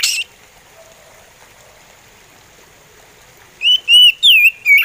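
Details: Slow song of an oriental magpie robin, or kacer. After a long near-silent stretch, four loud whistled notes follow one another about every half second, each bending up and then down.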